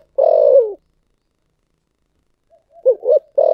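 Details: Spotted dove in the thổ sấm voice: a long, low coo easing downward, a lengthy silence, then a faint note, two short hoots and the opening of another drawn-out coo.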